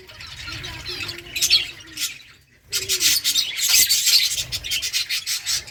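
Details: Finches chirping while eating egg food: dense bursts of high, scratchy tweets from several birds. A brief lull comes just before the middle, then rapid overlapping chirps continue to the end over a faint low hum.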